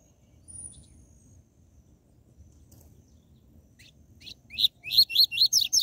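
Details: Coleiro (seedeater) song in the style called "tui tui zel zel", played to fire up captive birds: after quiet, a quickening series of high, bright, rising slurred notes, about seven in the last two seconds.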